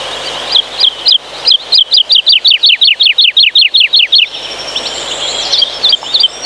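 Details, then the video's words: Woodlark, a pine-forest songster of Poland, pouring out a soothing 'lilila' cascade: a steady string of about sixteen liquid whistled notes, each dropping in pitch, quickening slightly, then fading into soft twitters. "Listen to this fluid forest lullaby that can stop time."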